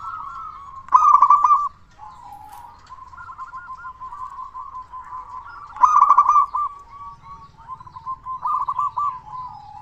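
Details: Zebra dove of local stock, loud-voiced and eager, used as a lure to prompt quiet doves to sing. Its staccato, purring coos run in long trills, and two loud accented bursts stand out over a faint low hum.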